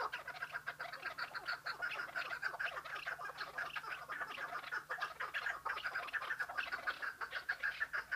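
Chukar partridges give harsh, rapid clucking chatter, about two notes a second, overlapping so thickly it sounds like several birds calling at once.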